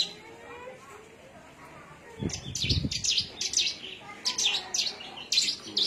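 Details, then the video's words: Javan myna from Cilacap singing: after two quiet seconds, a run of sharp, high chirps and short buzzy notes in quick irregular bursts, with a brief low thumping noise near the start of the singing. "Kicau javanica cilacap"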